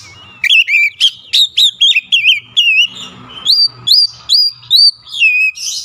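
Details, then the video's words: Oriental magpie-robin (kacer), agitated and excited, running through its repertoire of learned phrases: loud, clear whistled notes that swoop up and down, delivered in short bursts about once a second with brief gaps, over faint low background noise. "SEKALI PUTAR AUTO KACER ANDA LANGSUNG EMOSI TINGGI BONGKAR ISIAN"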